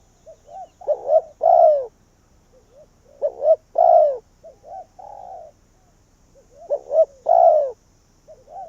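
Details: Spotted dove used as a Vietnamese decoy bird to attract wild doves, giving three low phrases of quick double notes and a long sliding coo, separated by faint soft cooing.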